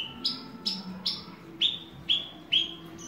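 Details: Horsfield's bush lark, locally called branjangan, kept as a hobby bird: six loud whistled notes, each a bright downward sweep, coming roughly every half second over a quiet background.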